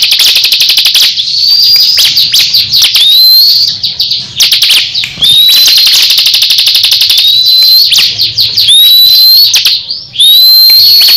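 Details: Crescent-chested babbler, a kept songbird, duelling with a rival in a fierce singing contest; dense rapid-fire buzzy trills with high rising whistles slurred in repeatedly, a second bird answering and overlapping almost continuously.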